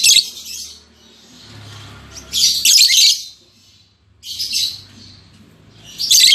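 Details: Newly paired lovebirds in a cage, an albino MM male and lutino MM female, give four loud rasping chatter bursts spaced about two seconds apart, with quiet background hiss between.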